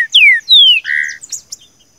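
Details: Green-winged saltator, seu chico song style for training a caged bird: two bright whistles sliding steeply down, then a steady lower note and a few soft high chips fading out.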